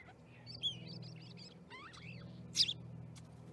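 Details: Starlings in a flock at an osprey nest in Charlo, Montana, 10/07/2019, giving a busy run of thin whistles, warbled rising and falling notes and squeaks, then one loud harsh burst, above a low steady hum.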